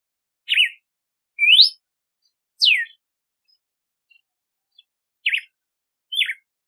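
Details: Red-cowled cardinal giving loud whistled song notes: a zigzag phrase, a rising sweep and a falling slur, then a pause before two more quick zigzag notes; quiet background.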